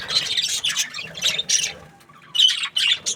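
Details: Budgerigars chirping in breeding season chatter in quick, scratchy, high-pitched bursts of chirps and squawks, several short phrases tumbling over one another with brief pauses between.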